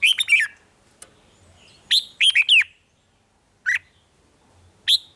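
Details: Red-whiskered bulbul singing the 'rik' style to excite caged birds. Bubbly three-note phrases are followed by single sharp chirps at intervals of about one to two seconds.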